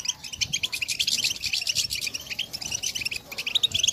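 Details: A chorus of female European goldfinches calling to stimulate males to sing, packed with rapid, high, tinkling twitters and buzzy chatter that keep going without a break.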